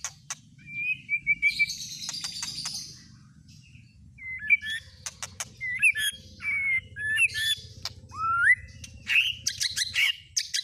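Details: White-rumped shama lure song, played to provoke other shamas into singing their full repertoire: rich varied phrases of clear rising and falling whistles, buzzy bursts and sharp chips, with short pauses and a low hum underneath.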